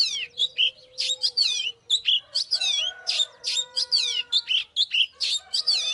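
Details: Oriental magpie-robin singing in a fighting context, loud rapid series of swooping whistles and chirps repeated in quick succession, with a constant low hum and steady tones behind.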